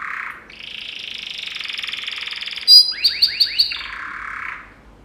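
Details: Yellow canary (Serinus canaria) training song: a low buzzy roll, a long sustained trill, then four sharp rising chips and a soft fading buzz.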